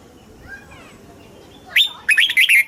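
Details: Caged red-whiskered bulbul from Thailand singing in the southern master style, played to excite caged birds and teach young birds. Faint soft notes come first, then a loud burst of bright, slurred whistled notes near the end.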